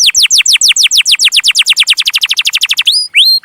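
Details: Canary singing, intended to train young canaries: steep falling chirps that gradually quicken into a tight chattering series, then break off into a few upslurred whistles with high overtones.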